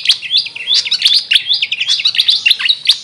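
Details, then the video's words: Brief, dense burst of high, squeaky, jumbled chirps and short whistles from a grey fantail, locally named Maria Capra, delivered without pause. "Grey Fantail bird call||huni ng Maria Capra kung sa amin tawagin"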